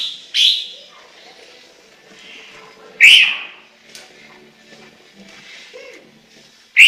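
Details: Chinese hwamei song: three loud, ringing whistled notes spaced about three seconds apart, with quiet, faint chirps between them.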